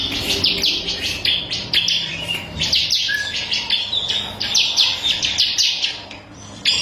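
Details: Crystal white-eye song used as a tutor recording for cage birds: fast, bright, high-pitched trills of sweeping notes in bursts, with one brief lower whistle and a faint low hum.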